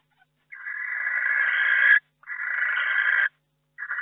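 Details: Barn owl inside its nest box in May, where a second egg has hatched: two drawn-out, rasping hisses lasting one to one and a half seconds, growing slightly louder. A third hiss begins at the end; no other sounds.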